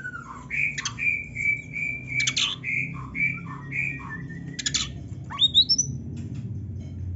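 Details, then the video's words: Kacer, the Oriental magpie-robin, singing vigorously with rich 'isian' material for training other birds: a run of steady, evenly pitched whistles broken by short buzzy bursts, ending in quick upward-swept notes. "kacer gacor full isian MEWAH NARUNG‼️Auto NGOBRA BUKA EKOR - Ampuh Bikin Kacer Cepat Gacor‼️"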